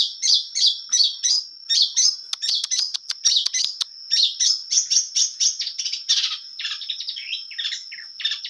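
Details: Long-tailed shrike singing energetically, its song full of varied material: quick bursts of high chirps and sharp rapid clicks, then descending slurred notes near the end. A steady thin high whine runs beneath throughout.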